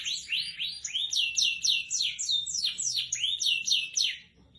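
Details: F1SF canary in full, long-running song, delivering a fast series of rising and falling whistled syllables, roughly four per second, with bright upsweeping notes, ending in a brief quiet moment; nothing else clearly audible.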